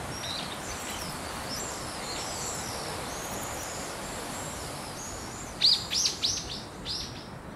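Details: House swifts at a nesting colony of about 200 birds under a rooftop eave in Surugadai, central Tokyo. Thin, high chittering twitters run throughout, then a louder burst of three sharp, descending notes comes near the end, over a steady wash of city noise.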